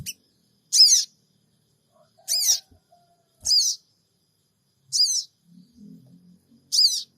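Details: Sooty-headed bulbul lure recording from Purbalingga, captured by phone: five short, grating, high chattering notes at uneven intervals, with faint knocks and a low murmur in the background.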